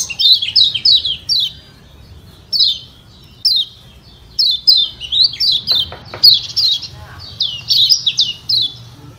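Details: Kecial kuning Lombok white-eye producing provoking ciak ciak notes: a quick run of high falling chirps, a lull with isolated notes, then a busier stretch of clustered chirps and a brief click.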